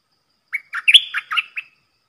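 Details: A decoy red-whiskered bulbul delivers one rapid phrase of its three-part song, used to tutor young birds and call in wild birds: six or seven quick, cheerful chirping notes with a loud slurred middle, against silence.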